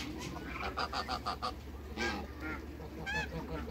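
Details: On a waterbird farm, three African geese meet new geese and honk loudly. A quick run of short, evenly spaced honks is followed by longer, drawn-out nasal calls. A steady low hum lies underneath.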